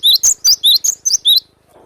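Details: Cinereous tit in the wild, singing energetically in the sharp besetan style: seven rapid, piercing high whistled notes in quick succession, each slurring sharply, then the song stops abruptly into quiet.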